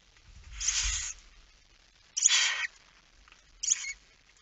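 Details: Barn owl at the nest during night feeding, 22:45 on 10 September 2019. Three separated hiss bursts fade from long to short, the last one a thin squeaky rasp, over faint low rustling.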